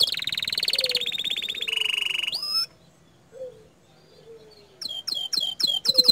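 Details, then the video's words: Canary in loud, continuous song: buzzy rolling trills shift pitch in steps, then a pause with faint low notes, and rising whistled sweeps resume, repeated about every third of a second. "Kenari Mana Yang Tinggal Diam Setelah Mendengar Kicau Kenari Gacor Dor Ini !"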